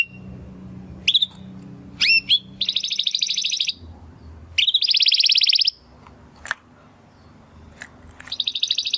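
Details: Belgian canary song in the 'estralando' style, delivered in bursts: sharp rising whistles, then dense buzzy high trills lasting a second or more, separated by quiet gaps with faint low background hum.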